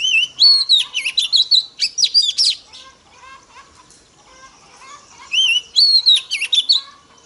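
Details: Female Oriental magpie-robin singing to stimulate males: an energetic whistled phrase of rising slurs and rapid sharp notes lasting over two seconds, a quieter stretch of soft chirps, then another loud phrase in the same pattern.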